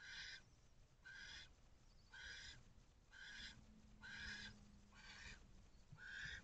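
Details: Barn owl nest box with a male arriving with a rodent for the female and owlets, owl cam, 26 April 2023, 3:53 pm; seven harsh, hoarse screeches repeated steadily about once a second, with a low hum underneath.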